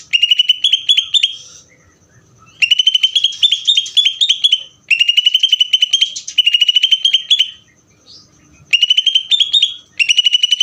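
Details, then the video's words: Ngeder singing by a greater green leafbird: long, rapid strings of ringing, high whistled notes, delivered in phrases of one to two seconds with short silences between them. "cucak ijo ngeder"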